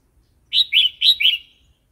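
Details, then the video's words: Single bright phrase from a red-whiskered bulbul in 'wild song' style, played to new or wild-caught birds or to teach youngsters: four quick, slurred, cheery whistled notes in under a second, with no other sounds. "เสียงนกกรงหัวจุก เพลงป่า"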